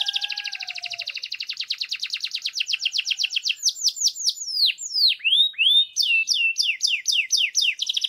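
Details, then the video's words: Canary song opening with fast repeated trilled notes, a faint low whistle at the start, then descending and rising swooping notes and quick paired chirps; clear, quiet background. "Jacinto canário bonito para desfrutar"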